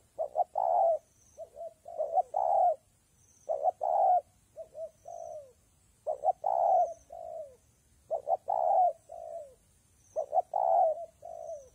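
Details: In wet, gusty weather a spotted dove coos all day; steady low hooting phrases, brief paired notes leading into a long rounded coo that tails off downward, about five phrases in sequence.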